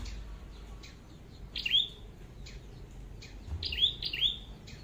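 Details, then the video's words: Flowerpecker calls recorded while trapping red-headed flowerpeckers in Vietnam: thin, high, sharp chip notes, a single one early, then a closely spaced pair near the end, with faint clicks and low background rumble. "Bẫy Chim Sâu Đầu Đỏ"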